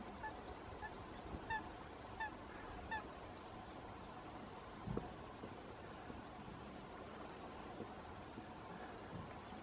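Black-winged stilt giving a few faint, nasal, yelping kek notes, spaced about a second apart, over a steady low background rumble.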